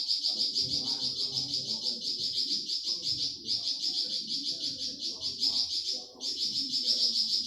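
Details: Flamboyan singing for use as a master recording to teach pet birds: a continuous, very fast, high chattering trill with two brief breaks, over a quiet low murmur.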